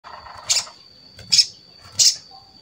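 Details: Crimson sunbird (sogon) song used as a lure to prompt other sogon to sing: three short, very high, sharp chirps about three-quarters of a second apart, with a steady high whine behind them.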